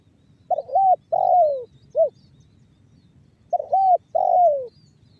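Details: Spotted dove singing the banggo bocor style, a lure to get doves cooing: two phrases about three seconds apart, each a broken opening coo, a drawn-out downslurred coo and a brief end note.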